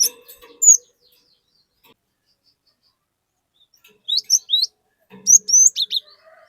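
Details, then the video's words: Captive cinereous tit singing actively, used to coax other tits into singing; a lone high note, a long pause, then clusters of sharp, rising whistled notes with upward-hooked phrases. "Burung Glatik Gacor Memancing Glatik Bahan Agar Ikutan Gacor Ngeplong"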